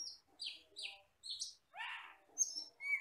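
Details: Asian glossy starling, a forest bird, on a song-training recording: a string of short high squeaky notes roughly twice per second, a lower harsh downslurred buzz, then a thin clear whistle.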